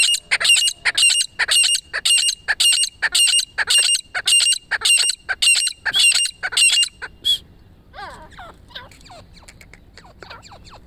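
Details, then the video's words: A female francolin in Pakistan calls: harsh, grating notes in a rapid, regular series of about a dozen bursts over seven seconds, then falls silent, leaving faint softer chirps and background noise. "francolin#female calling"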